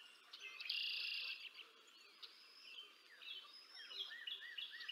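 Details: Bald eagles at the Decorah North nest on 20 April 2024, the adult female feeding two eaglets, filmed by a nest camera; a buzzy, sustained high call early on, then scattered chirping squeaks against a busy background chorus of other small birds.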